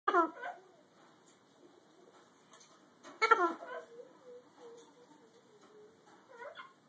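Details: A pet blue-and-gold macaw says "peek-a-boo" in three short, voice-like bursts a few seconds apart, hoarse and nasal, with a soft trailing tone between them in a quiet room.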